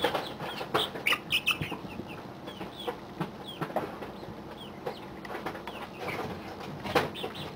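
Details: Young domestic chicks, 40 days old, in an indoor pallet brooder, making scattered high thin descending peeps amid constant hiss, scratching and occasional knocks.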